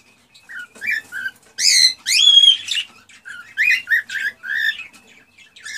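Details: Male cockatiel singing excitedly to stimulate a female to mate: loud bursts of whistled, rising and warbling notes mixed with harsh squawky phrases, delivered in short broken phrases with brief pauses, indoors with no other sounds.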